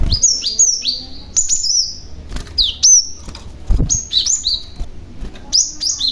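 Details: Cinereous tit, a young bird used as a lure to set other tits calling, repeating clear downslurred whistles in quick two- and three-note groups, about every second, with occasional low knocks behind.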